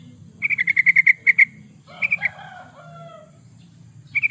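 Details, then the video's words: Yellow-vented bulbul song, offered as a lure and master recording for training birds: rapid run of bubbly, evenly pitched notes, a brief chattering phrase with lower trailing tones, then another short bubbly burst. "Suara burung trucukan, pancingan burung trucukan suara gacor"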